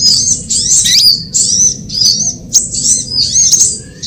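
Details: Lure call for trapping sunbirds, drawn from recordings of all sunbird types: high, sharp whistled chirps and slurred notes in short bursts separated by brief pauses, over a steady low background hum.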